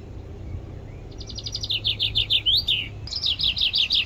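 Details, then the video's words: A common chaffinch gives its spring song on the banks of the Adige river in Vallagarina, Trentino: a bright, accelerating run of high notes descending into a flourish, then starting again, over a low background rumble. "FRINGUELLO con il suo CANTO PRIMAVERILE"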